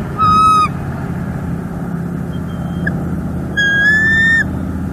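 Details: Female bald eagle at a nest in northeast Florida on a live nest camera, 3 December 2021, calling while the male brings sticks after delivering a fish. Two drawn-out, whistled, harmonic-rich squeals separated by about three seconds of low background rumble.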